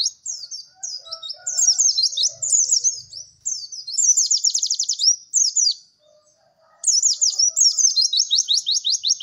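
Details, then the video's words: White-eye song used as a training recording for caged songbirds: long bursts of rapid, high, sweet twittering and trilled notes with brief pauses, one near-silent gap, then another fast chattering run. "MASTERAN PLECI TERBARU PALING AMPUH CEK CEK WERR"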